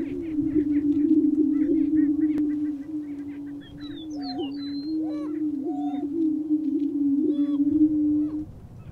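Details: Several male Lesser prairie chickens booming in their mating display in Kansas's Flint Hills, competing and confronting each other to attract a hen: a steady, low, hollow overlapping drone broken by brief higher whoops, cackles and squeaky notes.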